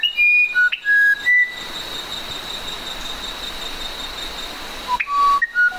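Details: Musician wren song: a burst of clear whistled notes stepping between high and lower pitches, then a long pause with steady high hum, then the whistled phrase resumes.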